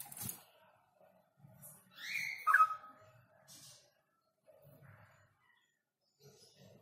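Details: A male straw-headed bulbul kept as a cage bird gives one loud, rich, liquid warbled phrase that swoops up and down, among soft knocks and low background noise.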